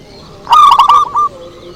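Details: A single zebra dove phrase meant to lure wild birds: a quick tumbling run of five short, mellow cooing notes lasting under a second, loud and close, over a quiet hissy background.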